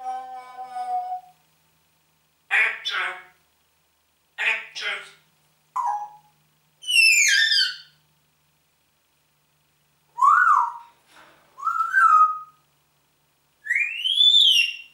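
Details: Talking Congo grey parrot kept indoors, which greets with a German good morning: a series of varied voice-like syllables, nasal and harmonic, some falling, some rising, separated by short silences, ending in an upswept whistled note.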